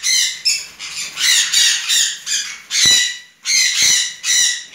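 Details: Tame pair of juvenile red-fronted conures giving harsh, raspy squawks in rapid succession, broadband and loud, about 40 per minute with short gaps, some brief clicks between calls.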